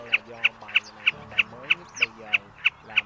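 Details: Large fan-tailed common snipe call used as a lure for night net trapping during the March 2024 migration season: short sharp notes repeated steadily about three times a second over a droning, tonal musical background.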